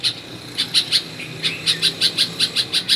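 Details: Bulbul at a home in Karachi, Pakistan: after a quiet start, a regular string of crisp, high chirps follows, about five each second, with one faint lower note in between.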